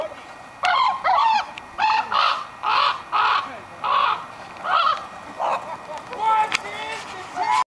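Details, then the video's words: Ravens in Nome having a chat: a steady series of hoarse, nasal croaks repeated about twice per second, some more tonal and wavering, ending with a few higher squeaky notes. "Ravens having a chat."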